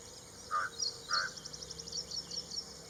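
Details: Ashy prinia calling: two harsh, nasal notes about half a second apart, followed by a steady high, rapid ticking in the background.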